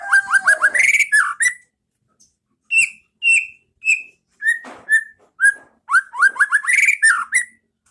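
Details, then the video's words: Training song of a White-rumped shama, 'pastol ngeplong' style: a fast cascade of rising whistled sweeps, a silent gap, then clear single whistles spaced about half a second apart before another rapid tumbling rising phrase. "Masteran Pas Burung Murai batu Biar ikut bunyi"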